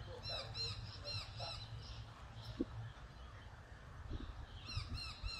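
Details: Australian magpie, subspecies G. tibicen telonocua, gives a quick run of bright, arching, fluty notes, about three a second, then a second burst near the end, over a steady low rumble.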